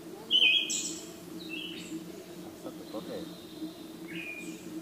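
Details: Song of a Siberian thrush, 17 June 2017: one loud short whistled phrase trailing into a high hiss, followed by fainter, thinner notes against a constant low drone.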